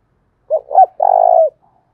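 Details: A single spotted dove lure phrase in the thúc bổi style, thổ đồng voice: two short, low, throaty notes, then a sustained, gently trilling coo of about half a second.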